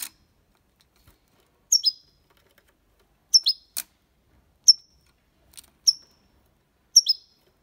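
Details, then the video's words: Goldfinch recording in copia malaga style for training young birds: a series of short, bright, slurred chirps every second or so, with occasional soft clicks. "Cantó de Jilguero (copia malaga ) para Estimular niños pajaros/Chant de Chardonneret élégant"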